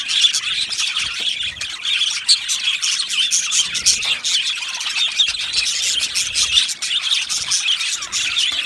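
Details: Aviary colony of Australian budgerigars on 15 July 2025, lively twittering with sharp chirps and clicky notes pulsing in quick bursts over a constant background chatter of many birds.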